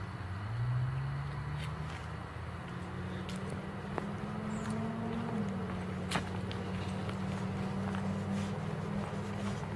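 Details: Vehicle engine droning low, with its pitch rising and then holding steady, plus scattered clicks and knocks, no animal calls heard.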